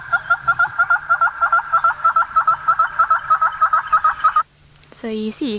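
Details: Red-billed hornbill call played back from a phone app during a safari drive: steady repeated tok tok notes, about three per second, ending abruptly, followed by a burst of laughter.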